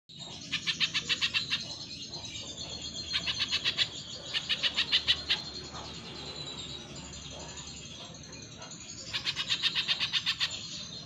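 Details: Spiderhunter (pijantung pisang) singing vigorously in a training recording for cage birds: bursts of harsh, rapid chipping notes, about four per second, each lasting one to two seconds, separated by quieter gaps over a low background hum.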